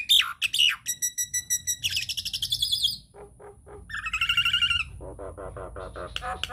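A Nias hill myna pours out loud, varied whistles, ringing harsh notes and quick stuttering runs, each phrase changing pitch and tone in rapid succession.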